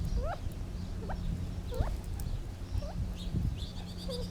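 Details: Gambel's quail giving short upslurred chirps and soft downward notes at irregular intervals, with faint higher twitters near the end and low rumbling noise.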